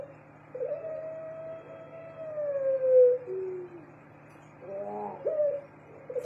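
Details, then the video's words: Caged pelung turtle dove calling: a long drawn-out tonal coo lasting about three seconds that slowly slides downward, followed by a shorter wavering note, over a faint low steady hum. "sangkar puter pelung"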